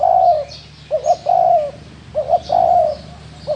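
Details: Spotted dove, called 'thổ đồng', giving low cooing phrases: a quick doubled note then a long level coo, repeated twice within a few seconds, with faint high chirping behind.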